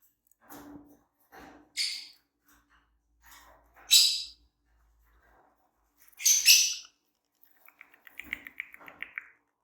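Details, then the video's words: Pair of green Fischer's lovebirds chirping: a series of sharp, raspy, high squawks spaced a couple of seconds apart, ending in a run of quicker, softer chattering notes, with faint low thumps and rustling. "Green Fischer Pair -Chirping Sounds"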